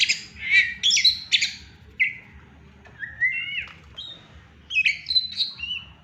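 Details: Pet Oriental magpie-robin whistling happily when its owner arrives: a few harsh, scratchy notes open, then clean sliding whistles and short bright phrases follow with gaps, over a faint low background hum.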